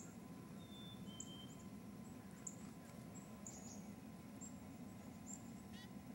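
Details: Chickadee filmed in early 2008 near Fergus, Ontario: a clear whistled tone, slightly lower in its second half, then scattered very high, short chip notes through the rest, over a steady low hum.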